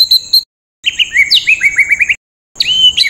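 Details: White-rumped shama singing rough 'tembakan' phrases for tutoring songbirds: a bright high note, then a run of quick rising and falling whistled slurs repeated rapidly, ending in a harsh burst after a short gap.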